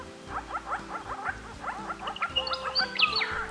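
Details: A group of Grey-crowned Babblers, perhaps eight in a cypress pine in Australia, chatter in quick rhythmic bursts of about five notes a second. They then switch to higher, sharper whistled 'yah' notes over a low steady hum. This is said to be a female 'yah' and male duet.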